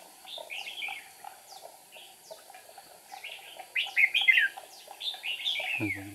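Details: Red-whiskered bulbul used as a trapping decoy, recorded 8 April 2019, singing to provoke rivals; rapid series of downslurred chirps leading into louder warbled phrases, ending with a brief low thump.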